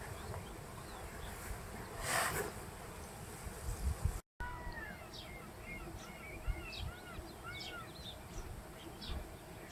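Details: A colony of jackdaws (Corvus monedula) nesting in an old Roman quarry give short, sharp 'chak' calls in quick, overlapping bursts after a brief pause, over a steady low rumble of wind or distant traffic.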